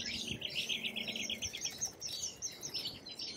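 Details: Lorikeets in Australia chatter in shrill, rasping screeches, many overlapping in a fast, busy stream, with a faint low hum underneath early on.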